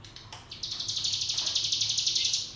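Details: Hill prinia (cigun) delivering its ngebrem trill, a training lure for young birds: one short note, then a sustained, rapid, buzzy high-pitched trill of even pulses running for about two seconds.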